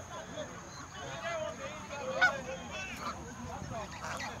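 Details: Over a hundred geese in the countryside are fed while the flock keeps up continuous honking, ragged overlapping nasal calls with one louder blast near the middle, and a thin steady whine running through.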